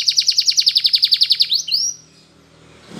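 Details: Spanish Timbrado canary singing in the morning, used as training song: a rapid trill of about a dozen bright notes at roughly four per second, then a rising sweep and a short descending slur before fading into quiet room noise.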